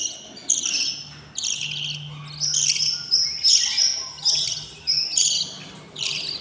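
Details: Begging of hungry budgerigar nestlings, a brood of six at day 20: harsh, hissy squawks repeated about every half second to second, loud and insistent, with a faint low hum beneath.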